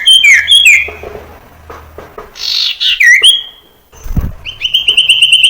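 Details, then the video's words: Common iora song meant to train young birds: quick looping whistles, a harsh buzzy burst, falling slurred notes, then a rapid even series of sharp whistled notes, with a low thump midway. "Suara Burung Sirtu Cipoh PANCINGAN sirtu cipoh TERAMPUH"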